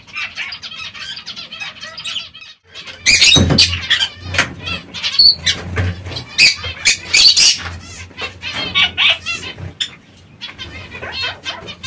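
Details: Zebra finches pecking at seeds and fresh salad, giving many short nasal harmonic calls in quick irregular runs, with loud broadband rustling bursts like wing flaps or scuffling mixed in and a faint low hum beneath.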